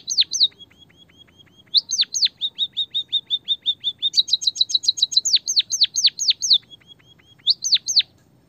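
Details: White-headed munia lure recording, original voice mixed with canary-song fill: bursts of high downslurred notes alternate with runs of flat, thin, even chips. Faster trills and pauses follow.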